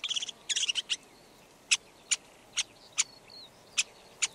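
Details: Red-backed shrike song opening with quick scratchy chatter, then slowing to sharp single clicks spaced irregularly about half a second apart, with a faint soft note between.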